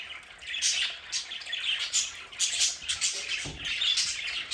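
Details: Pet budgerigars in a home play area produce bright, scratchy chattering and squawks in uneven bursts, filling the space with busy high twittering.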